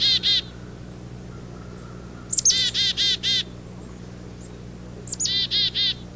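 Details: In spring, several very active black-capped chickadees flit about a lilac bush next to a house. They give their namesake call: a high thin 'chick' followed by three to four buzzy 'dee' notes, repeated several times.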